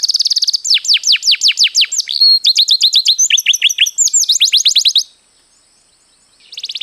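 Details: Canary singing a long rolling song as a training master: fast high trills, then runs of repeated downward-sweeping notes about three per second, breaking into a brief silence before another quick trill.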